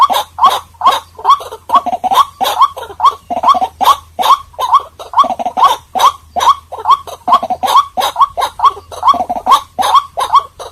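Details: White-breasted waterhen, a recording used as a lure to draw birds: a long, unbroken series of gruff, croaking notes with rising tips, delivered quickly and rhythmically over a faint low hum.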